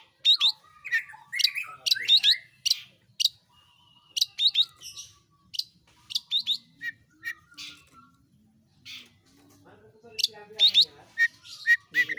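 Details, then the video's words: Caged long-tailed shrike, locally cendet or pentet, in full gacor song; clusters of sharp chirps and buzzy notes separated by brief pauses, a quieter stretch of soft low notes mid-way, then another fast burst. "burung pentet/cendet gacor ROLL tembak"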